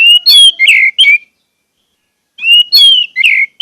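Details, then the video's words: Caged-bird lure of orange-headed thrush singing: a whistled phrase of a long pure note followed by rough chirps, given twice with a pause between. "pancingan anis merah agar anis merah macet cepat bunyi dan gacor"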